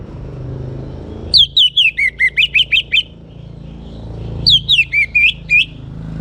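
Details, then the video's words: Orange-headed thrush, a young singing bird from northern Bali played to encourage other birds to sing, delivers two phrases of loud descending whistled notes, the first about ten notes long, the second shorter, with faint traffic-like rumble beneath. "ANIS MERAH Muda Gacor Untuk Pemancing Burung Berani Berkicau"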